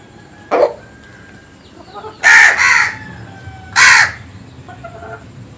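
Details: Crow in the morning with a short faint note, then a double hoarse caw and, after a brief pause, a third loud rasping caw over quiet background.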